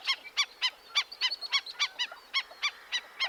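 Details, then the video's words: Before dawn on 5 June 2025, during a breeding bird survey among wheat fields in Montana, USA, a flock of black-necked stilts at a wetland edge calls sharply. Several birds give overlapping nasal yapping notes, about three per second. "At one edge of the wetland, a flock of black necked stilts is calling sharply. [Laughter]"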